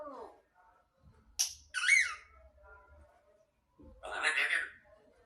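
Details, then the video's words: Talking grey parrot utters murmured speech-like sounds, a loud squawk with a sliding whistle, then a hoarse, voice-like burst. "grey parrot talking"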